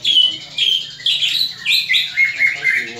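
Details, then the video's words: Greater green leafbird in fighting call, used to build fighting mentality in other leafbirds: loud clipped whistles and chirps in rapid bursts roughly twice a second. "CUCAK IJO TARUNG INI, COCOK UNTUK MELATIH MENTAL TARUNG CUCAK IJO LAIN"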